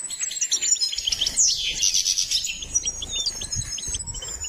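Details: Goldfinch song for training: fast, high twittering notes under a thin, sustained high whine, the notes repeated rapidly and irregularly.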